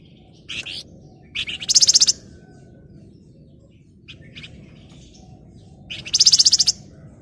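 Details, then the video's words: Flamboyan in breeding condition, singing energetically to call a rival: short buzzy high chips, then a fast pulsed trill of about eight notes near 1.5 to 2 seconds, with another rapid trill burst around 6 seconds. Quiet low background hum. "SUARA PANCINGAN BURUNG FLAMBOYAN BIRAHI GACOR MANGGIL LAWAN"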